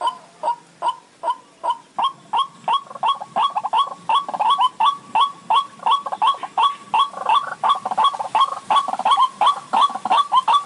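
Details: White-breasted waterhen call played as a trapping lure in the dry season: short upslurred croaking notes, first spaced, then quickening to nearly three per second in an insistent rhythmic series, with a faint background hiss.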